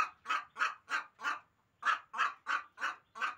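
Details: A hen calls with rough, mid-pitched squawks repeated roughly three times a second, with a short pause partway through the run.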